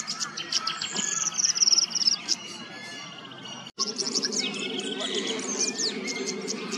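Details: Queensland, Australia tawny grassbird giving a rapid, high, descending trill among busy chirping from other birds, with a brief break and more chips and lower twittering afterwards.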